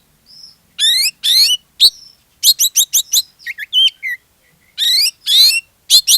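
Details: Oriental magpie-robin in lively song used to provoke other magpie-robins into singing: rapid run of loud, rich, rising trilled phrases, sharp chips and warbled whistles packed closely together, with a few soft quiet notes between.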